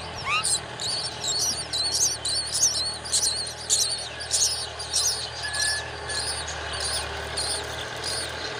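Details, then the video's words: Myna feeding a spider to its baby; bursts of high, scratchy squeaking chirps repeat quickly, nearly twice a second, over a constant low hum. "Myna bird feeding her baby spider"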